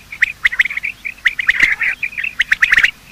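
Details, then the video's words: Male and female quail calling in the morning, a recording meant for quail hunting: bright, short chirps about one or two per second, separated by softer twittering, with an occasional faint click. "Quail calling sound: master the Art of Quail tripping | Bater Awaz Subha"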